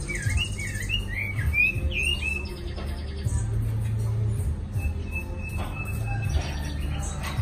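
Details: A caged Chinese hwamei sings a lively warbling series of looping whistled notes for about two seconds, then softer scattered notes, over a heavy low hum. The bird was newly arrived in Hanoi.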